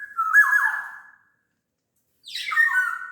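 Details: Big-bodied kepodang from Sumbawa singing eagerly: a mellow fluted phrase that dips and fades, then after a silent gap a second phrase that opens with a sharp upward sweep into warbling whistles.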